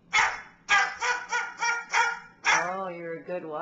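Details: Pet bird barking like a dog, acting as a watchdog: a string of rough, hoarse barks roughly every third of a second, followed by a person talking in a higher voice near the end.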